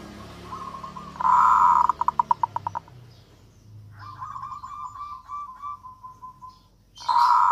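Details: Local zebra dove, played to encourage lazy doves to start singing: a loud blaring note, a short series of clipped cooing pulses, then a long wavering trill and another loud burst, over a noisy background hum.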